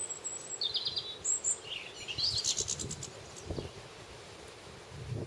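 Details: Common linnets in a garden: a brief burst of thin, high twittering and buzzy notes, some rising, in the first three seconds, then quieter background with low rumbling thuds.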